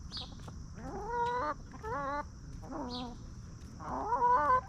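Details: Free-range hens roaming, scratching in the dirt and feeding peacefully on a farm: drawn-out, harmonic, slightly rising clucks in four separate phrases, each about half a second, over a steady high insect-like hiss and low rumble.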